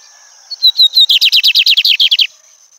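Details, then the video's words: Lined seedeater (bigodinho) singing while watching nature: three clear whistled notes open, then a rapid run of about twelve buzzy, down-slurred notes lasting just over a second, over a steady high thin hum. "Bigodinho cantando"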